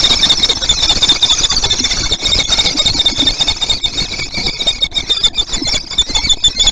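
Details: Common kestrel family at a nest platform in Théding, France, 29 June 2020, agitated: shrill, harsh, high squeals in an almost unbroken dense chorus over a low background rumble.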